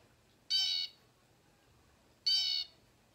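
Two harsh, grating Blue Jay squawks, each about a third of a second long and a second and a half apart, over a quiet background.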